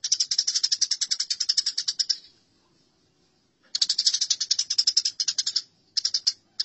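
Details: Sparrows in a fight: a two-second rush of shrill, quickly repeated chirps, a pause of over a second, then another harsh chattering burst and brief flurries.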